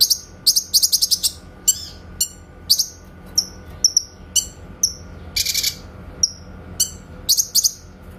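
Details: Master recording of a grey-cheeked bulbul for training songbirds, with clear 'tembakan' notes. Dense rapid bursts of shrill chips alternate with isolated falling whistles and a brief harsh buzzy burst midway.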